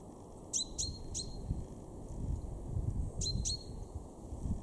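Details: Male common chaffinch in a garden in Weener, East Frisia, northwest Germany, March 2023: a quick run of three sharp, high downslurred notes with a ringing tail, then two more after a pause, over low background rumble.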